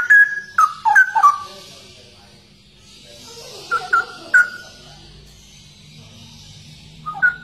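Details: Straw-headed bulbul, locally called cucak rowo, delivering a burst of rich, sliding whistles, then a few separate clear notes after a pause, and a final short phrase after a long near-silent gap.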